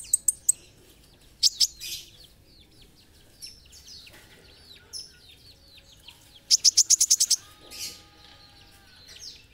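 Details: Olive-backed sunbird (kolibri ninja) singing vigorously in an Indonesian masteran recording for training birds: bursts of very high, rapid ticking trills and thin, sharp chirps separated by quiet gaps, with a faint steady hum underneath.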